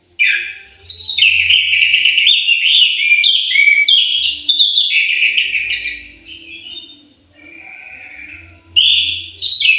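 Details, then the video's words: Aviary-kept orange-headed thrush pouring out a rich, continuous melodious warble of high whistled notes, sliding and tumbling in pitch, pausing briefly before a fresh phrase near the end. "KICAU MERDU BURUNG ANIS MERAH"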